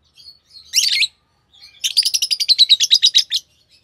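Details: Fischer's lovebird, green pair, giving a harsh double chirp followed by a rapid, even rattle of about fifteen sharp notes in a single fast trill lasting over a second.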